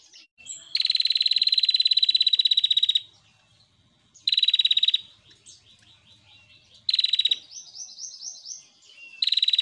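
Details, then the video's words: Female prinia, described as a lively, persistent singer and used as a training recording for captive birds, gives long, rapid, buzzy trills of high ticking notes, each burst about two seconds, separated by quieter chittering phrases. "PRENJAK BETINA GACOR"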